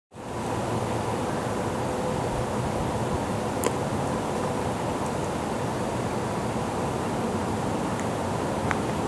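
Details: Steady broadband rushing noise, like wind or surf, fills the recording with a few faint clicks and no animal voice.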